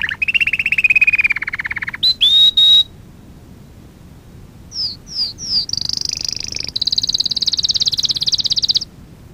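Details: Canary singing for a lesson recording for young canaries: a long lower trill, a short pure whistle, a pause, then swooping whistles and a long fast high trill, with a constant faint hiss.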